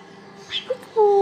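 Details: A cockatoo plays peek-a-boo, saying "peekaboo": a short soft syllable, then a drawn-out, slightly falling vocal note, spoken in a small, quiet room.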